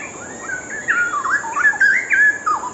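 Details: Straw-headed bulbul singing a rich, bubbling warble of fluid whistled notes that rise and fall in quick succession, loud and clear over a faint steady hiss.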